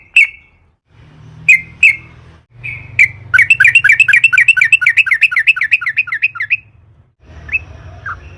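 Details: Sooty-headed bulbul song meant to make other bulbuls sing: a few scattered sharp notes, then a long fast roll of wavering rising-falling notes, followed by quieter scattered calls over a low hum.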